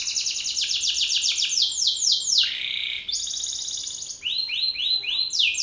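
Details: Singing male Belgian canary confronting another male: quick high trills of sweeping notes, then a harsh buzzy burst around the middle, followed by a steady rattle-like tour and renewed falling notes.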